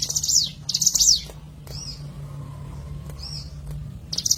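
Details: Hill prinia lure recording: two high rattling bursts, then soft arched whistles over a low background hum, and a final shrill burst beginning at the end.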